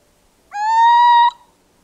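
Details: A Little Owl (Athene noctua), a small European owl often found in urban areas, gives one drawn-out, mewing hoot that rises slightly in pitch and lasts under a second, against a quiet background.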